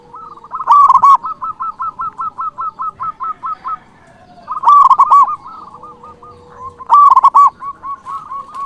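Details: Local zebra dove with a big voice, singing to call rivals: a loud bubbling trilled coo phrase repeated three times, separated by long runs of soft, evenly spaced clipped coos.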